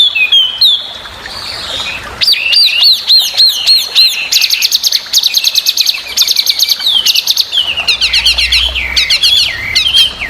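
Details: Chinese hwamei, loud and very vocal, used as a training model for songbirds, singing fast repeated looping whistles with dense high chips layered on top, phrases rolling almost continuously, about three notes per second.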